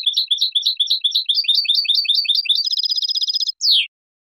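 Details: European goldfinch clean song for training juveniles: a long sequence of repeated chirping notes shifting into a rapid buzzy trill, ending with a loud descending slurred note.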